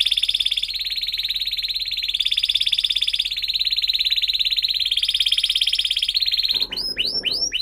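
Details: Canary song played as a teaching lure for young canaries: a sustained, rapid, rolling high trill that rises and falls slightly in pitch for over six seconds, ending with several fast upward-sweeping whistles.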